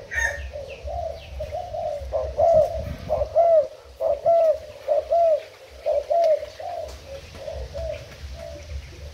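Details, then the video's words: Spotted dove decoy bird, Thailand type, recorded 10 April 2018: quiet murmuring, then a clear sequence of arched, hoarse coos about once a second, fading again toward the end. "Cu gáy mồi úp thailand"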